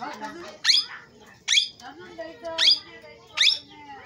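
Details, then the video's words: Four strident, grating parrot calls spaced roughly a second apart, separated by quieter murmuring chatter and low background hiss. "parrot sound l parrot voice"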